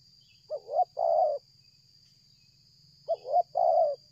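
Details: Spotted dove calling strongly during bird trapping with a decoy, coming closer from afar and cooing without pause: two phrases about 2.5 seconds apart, each a short double hiccup note then a longer throaty coo, with a steady high hum behind.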